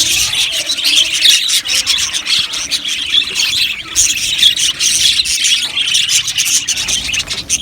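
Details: Many budgerigars in an aviary colony producing constant chirping and twittering, high and busy, with occasional harsher squawk-like notes rising above the chorus.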